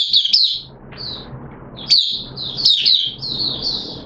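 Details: Oriental white-eye from the bird hobby, singing in wet weather on 6 September 2022: high, sweet warbled bursts with quick upslurred chips, a brief pause, then more rapid twittering, with a soft background hum.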